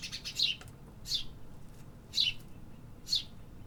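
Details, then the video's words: Birds singing in a city: short, bright, high chirps roughly every second, with a low hum of urban background noise. "Urban Birds Sound Effects"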